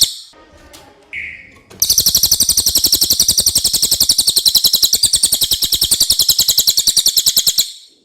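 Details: Clear common iora song for masteran tutoring: after a few scattered notes, one long, loud, continuous rattling trill of rapid, evenly repeated buzzy pulses lasting about six seconds.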